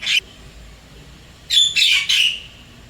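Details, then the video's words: Wild Javan myna in Singapore perched at an apartment, calling to its mate: a brief harsh squawk, a pause, then three rapid raspy buzzy notes in a tight burst. "Begini bedanya Kicauan Jalak Kebo liar di Singapura"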